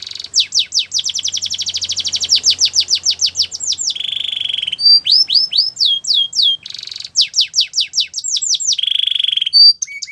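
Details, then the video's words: Canary song for training, a long varied performance: rapid falling notes, a rasping buzzy tour, clear swooping whistles, another quick trill and a second buzzy rattle, all high and continuous. "The BEST Canary Sounds!!"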